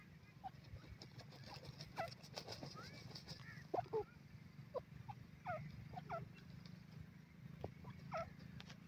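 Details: Francolin (teetar) calling: a series of short, sharp notes sliding upward, given irregularly over a steady low hum, with scattered faint clicks in the background.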